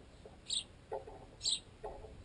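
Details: Two sharp, high sparrow chirps about a second apart, each followed by hollow knocks of beaks pecking a baguette piece clamped in a tent guy line; the flock includes flying juveniles still fed by adults.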